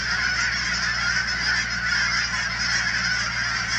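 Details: A thick, even chorus of honking from thousands of Canada geese at the Cheam Wetlands near Chilliwack, British Columbia. No single call stands out, and a quiet low hum runs underneath.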